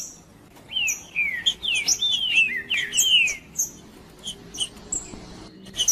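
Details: Green-winged saltator in 'macheando' song meant to excite other males: a tight run of rich, falling whistled notes packed into two seconds, then scattered thin high chips and short whistles as the phrase trails off.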